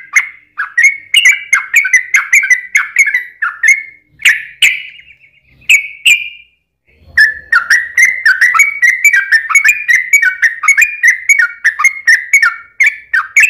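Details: Trucukan, the Yellow-vented Bulbul, singing energetic ropel panjang lure song meant to make other birds answer: long bubbling chatter of short liquid chirps, a brief gap with a few slurred whistles, then another sustained rapid burst.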